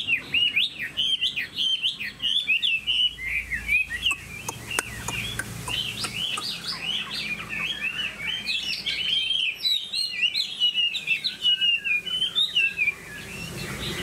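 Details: Long song of a caged Chinese hwamei from Vietnam: dense, jumbled whistled phrases with rapid trills and repeated notes, loud and continuous, with a few clicks in the background.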